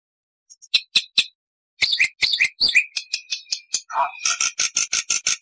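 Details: Black-winged starling (jalak putih) singing a lively 'gacor full isian' song of long and short phrases: sharp clicks, chattering notes, a brief low croak, then rapid high, buzzy repeated notes.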